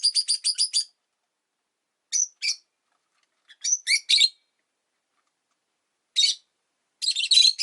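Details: Caged Rosy-faced lovebirds kept beside a window, five birds present, giving a rapid burst of shrill harmonic chirps, then scattered sharp squeaks and a harsh chattering burst at the end.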